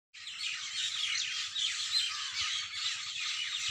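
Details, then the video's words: Early-morning chorus of many birds singing at once, a dense wash of overlapping chirps, trills and whistles, with faint low tapping underneath. "Birds Best singing in early morning"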